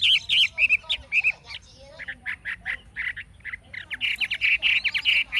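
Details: Chinese hwamei, wild-caught adult kept in a cage, sings forest-voiced phrases: loud looping whistles at first, then a string of short repeated notes, and a closing rush of rapid rich whistling.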